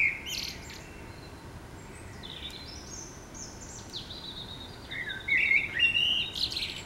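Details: Common blackbird singing in the city in the morning, fairly faint fluty phrases with thin high squeaky notes, a louder warbled phrase near the end, steady low urban background noise.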